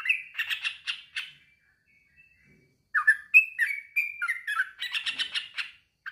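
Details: A male sooty-headed bulbul challenges a rival with a bubbly chatter, then a pause, then a varied string of clear whistled and slurred notes rising and falling in quick sequence.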